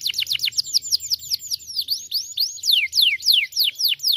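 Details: Canary in lively song, rapid series of high slurred whistles sweeping downward, about three or four per second, some rising and falling, delivered continuously with varied note shapes.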